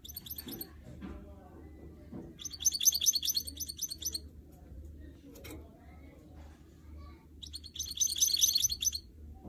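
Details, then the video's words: Hybrid canary-goldfinch mule being motivated to sing produces three separate bursts of fast, high trilled notes, separated by quieter gaps with faint background noise and a click. "Motivating a goldfinch mule and song birds"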